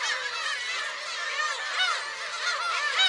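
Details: Black-tailed gulls at a shrine on Friday, July 10: a dense chorus of overlapping nasal, mewing cries that bend up and down, many birds calling at once with no pauses.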